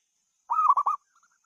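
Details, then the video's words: Zebra dove giving one short melodious cooing phrase: a quick run of about four rolling mid-pitched notes lasting half a second, followed by a couple of faint soft notes, in otherwise quiet surroundings. "kemerduan suara burung perkutut"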